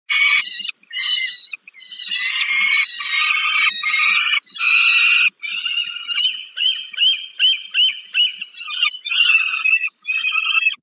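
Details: Peregrine falcons at a nest on the Żerań thermal power plant in Warsaw, Poland, on 15 August 2022, during a food delivery to a young bird. Harsh, wailing calls with rich harmonics come in long, near-continuous bursts, then break into choppier repeated notes.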